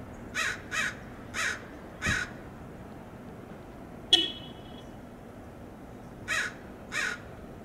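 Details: Mobbing American crows harassing a roadside red-tailed hawk in Del Monte Forest, California: rough caws in a quick cluster, a pause with one sharp, short tone, then two more caws.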